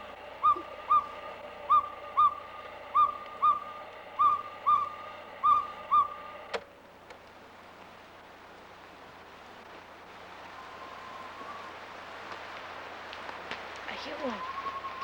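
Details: Northern pygmy-owl in the Upper Carmanah Valley, 1990: about eight hollow, even toots, one every second or less, then steady background hiss and a few faint whistles.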